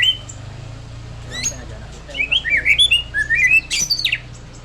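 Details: A white-rumped shama pours out a lively run of clear, sliding whistles that rise and fall in quick succession, ending in a sharp, high upward flourish, after a quiet start with a low background hum.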